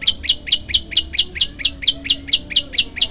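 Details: Prenjak lumut, a prinia kept as a songbird, singing a varied song used as training material for other birds: a rapid, regular series of sharp high chirps, about four per second, each a bright downward-slurred note.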